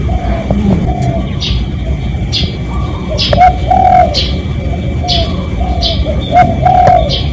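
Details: Spotted dove lure call, recorded for real to attract other doves: repeated low, mellow cooing phrases of several notes, with sharp descending chirps from other small birds scattered throughout and a low rumbling background.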